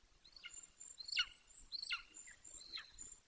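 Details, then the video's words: Near its nest in Bucovina, an 18-week-old young male Golden Eagle gives four thin, high yelps, each dropping steeply in pitch, spaced under a second apart over faint background hiss. "Bucovina Golden Eagles ~ We Hear You Zenit!! Lots Of Vocals Close To The Nest!"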